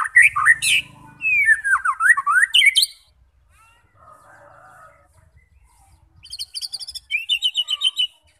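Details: White-rumped shama singing to stir fighter birds into song: a run of looping whistled notes and sharp chips for three seconds, quiet low murmur, then a fast, scratchy trill of repeated notes near the end.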